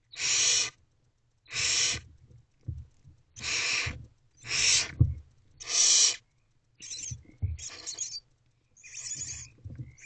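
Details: Nest-box owls at 1:48 am on 21 February 2024, an older owlet swallowing a big piece of prey; five strong, breathy hiss bursts in steady series, then fainter, broken rasping hisses and soft knocks.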